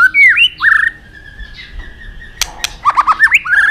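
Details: White-rumped shama song used as a lure to get other shamas singing: bold whistled slurs and a sustained tone, two sharp clicks, then a run of quick repeated chirps ending in rising whistles.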